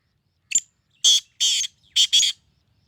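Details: Sindhi black francolin (kala teetar) calling: a brief note, then four loud harsh bursts, the last two close together.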